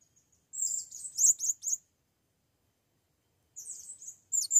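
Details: First time in the forest, a blue-crowned hanging parrot calls for a female with two shrill bursts of rapid high twittering notes separated by silence.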